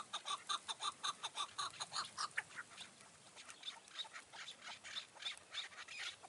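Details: Chukar partridge at dusk in June 2018 on a mountainside during trapping; a quick run of about a dozen sharp, clipped chuk notes that fades into softer, scattered notes with light outdoor noise.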